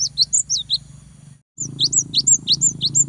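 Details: Cinereous tit in full song, used to provoke a rival into singing: quick high, sharp two-part notes repeated rapidly in a rhythmic run, a brief pause, then the run resumes, over a low steady hum.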